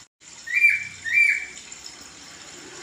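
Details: Poksay laughingthrush, from a songbird training recording, gives two strong slurred whistled phrases, each swooping down and back up, about half a second apart, over light background hiss.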